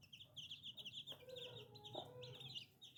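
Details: Baby chicks peep rapidly in high, piping notes. Two lower, longer calls cut across the chorus.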